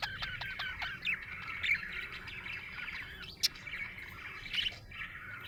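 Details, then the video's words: A happy budgerigar keeps up a steady, busy chatter of high warbled chirps and squeaks layered with short dry clicks, with a single sharp click standing out midway and brighter chirps near the end. "Happy budgie chirping sound"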